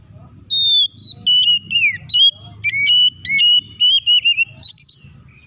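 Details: Oriental magpie-robin (kacer) singing to spur other birds to sing: clear whistles, one sliding steeply down, followed by level and wavering notes in a steady series over faint low hum.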